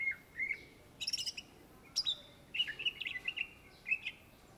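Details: Greater green leafbird singing hard, the cucak ijo of Indonesian bird lovers: a pure whistle, a harsh scratchy burst, then a rapid string of ringing, evenly pitched whistled notes and a few chips.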